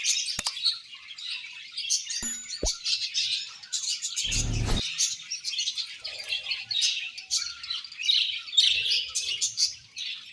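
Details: Budgerigars of a happy colony warble and twitter continuously, many overlapping bright chirps, broken by a brief low rumbling bump midway and a couple of sharp clicks early on.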